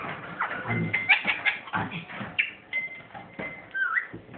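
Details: A pet ringneck parrot laughing: a rapid, chattering run of harsh, uneven syllables mixed with a thin whistled tone, with some room noise and faint voice in the background.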